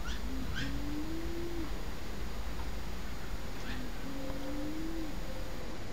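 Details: Courtship display of a Temminck's tragopan in Antwerp Zoo, Belgium: a short low note followed by a long, rising moan, repeated twice about four seconds apart, with faint thin chirps from other birds in the background.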